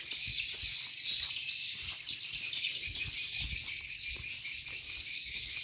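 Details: Chorus of swiftlets inside a farm in Borneo: rapid, overlapping high chirps form an unbroken shimmering band, while faint low thuds tap irregularly underneath.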